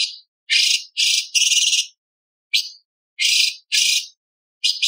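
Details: A light-vented bulbul sings as a master recording for training other birds, with imitations of lovebird, parakeet and bar-winged prinia. It gives harsh, buzzy, high chattering bursts of about half a second each, in quick irregular runs with short silent gaps.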